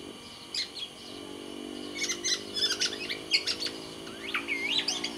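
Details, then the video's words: Black-naped oriole, kepodang from Sumbawa, a kept songbird in full song: bursts of sharp, high chirps and quick slurred notes, then a run of rising and falling whistles, over a steady low hum. "suara burung kepodang sumbawa GACOR DOR"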